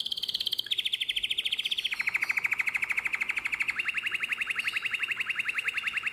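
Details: Nightingale-voiced canary from Drama, Greece, 2017, delivering continuous rapid trills that step down in pitch in three stages, each a steady, evenly pulsed roll.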